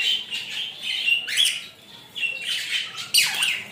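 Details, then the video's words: Rainbow lorikeet taking a shower, giving harsh, grating screeches in drawn-out bursts, some rising sharply, separated by brief quieter gaps over nearly four seconds. "Rainbow Lorikeet Taking a Shower and Enjoying the Moment"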